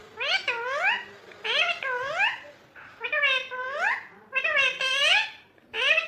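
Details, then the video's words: A pet rose-ringed parakeet talking, 'mummy papa' among its words: repeated nasal, rising two-part syllables in small clusters of two or three, squeaky and harmonic-rich, pausing briefly between groups. "funny Ringneck 🦜 Parrot Mithu talking mummy papa"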